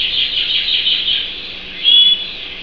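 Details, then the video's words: Canary pouring out a high, even, rolling trill, with a brief brighter, louder whistled flourish near the end. "Vogi der Kanarienvogel"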